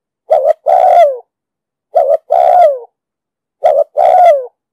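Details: Cooing of a spotted dove ('đồng sấm' voice) used to train and attract decoy birds for trapping: three phrases roughly every one and a half seconds, a short two-part note then a long, descending hollow coo.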